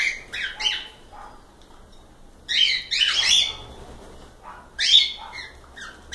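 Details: Pet cockatiels calling, scattered harsh chirps early, then a long raspy squawk burst and a final loud call after a quiet stretch.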